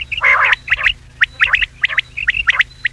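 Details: Common quail call played as a lure for quail hunting at night in Pakistan: sharp, quick upward-flicking notes in short clustered bursts, repeated irregularly over a steady low mechanical hum.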